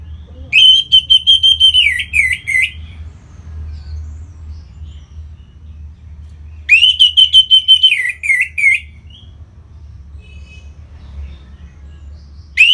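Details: A kept orange-headed thrush in North Bali sings to set off other birds; two long phrases of fast, pulsed whistling on one pitch dropping into wavering slurs, about six seconds apart, with a low hum between.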